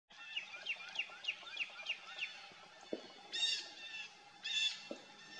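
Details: Northern cardinal giving about eight quick, clear downslurred whistles in a steady run, then two short harsh bursts; recorded 27 January 2024 at 11:09, Fay Lake Road Trail, Watkins Lake State Park, Jackson County, Michigan.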